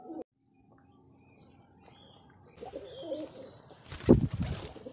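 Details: Kept pigeons given vitamin medicine: low, soft cooing murmurs in the middle of the recording, followed by a brief thump and some rustling, with faint high chirps above.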